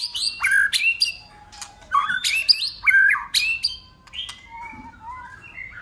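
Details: Fighting song from a white-rumped shama that keeps changing voices: loud grouped phrases of falling whistles and sharp notes in three bursts, ending in softer, lower drawn-out whistles.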